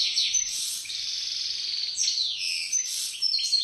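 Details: Top-class "pisador" European goldfinch delivering a continuous high tinkling warble of quick sliding notes and liquid twitters without a break. An Italian-speaking voice follows.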